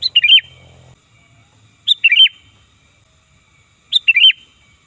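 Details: A sooty-headed bulbul, sound used to lure birds, repeats a bright bubbly call three times at roughly two-second intervals, each a sharp note and a quick warbled tumble, with a faint low hum early on.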